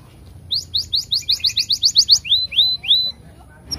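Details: Canary song meant as a lure for other canaries: a quick run of about ten sharp rising chirps, then three slower, longer upswept whistles, ending abruptly.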